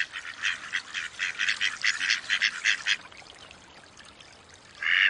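A Mallard gives a quick run of about a dozen harsh, nasal quacks over three seconds, then after a pause one louder, longer quack.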